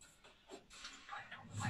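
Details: A grey parrot talks at night in the dark, giving short, speech-like bursts of mimicked words, with murmured voices and faint background rustling.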